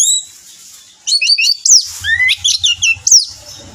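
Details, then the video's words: Orange-headed thrush singing, used as a lure recording: a faint high whistle, then rapid stuttering series of bright, varied whistled notes and downward slurs, with soft low thumping underneath. "Pancingan Anis Merah Teler Gacor 100% Ampuh"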